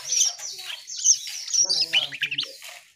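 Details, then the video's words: Asian pied starling singing actively: a dense run of high whistled and harsh chattering notes with fast trills and squeaky slurs, building steadily across three seconds, with a faint low hum underneath. "Burung cucak Keling Gacor"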